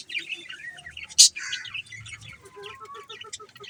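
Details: Budgies warble continuously in a scratchy, twittering stream of high notes. One sharp click-like chirp cuts in early, and a row of short evenly spaced lower pips follows near the end.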